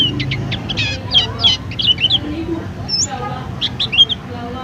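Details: A Mountain white-eye housed at a small shop gives varied bright chirps and short twittering bursts, some sliding upward, in irregular spurts separated by short pauses.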